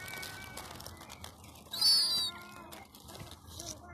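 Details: A herring gull chick, about 2–4 months old and thought by the owner to be female, begs for scones with a thin, high, whistled call in one short burst, with faint background noise.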